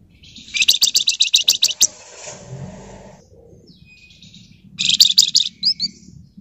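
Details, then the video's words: Flamboyan singing in the dense nyerecet manner, used as a lure: a long burst of rapid, grating, buzzy pulses, a pause with soft rustling, then a shorter burst followed by brief chirps. "Burung Flamboyan Gacor Ngebren Rapat Nyerecet Nyiul Cocok buat Pancingan"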